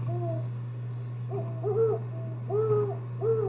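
Great Horned Owl giving soft, mellow hoots in short uneven groups about a second apart, over a steady low electrical hum.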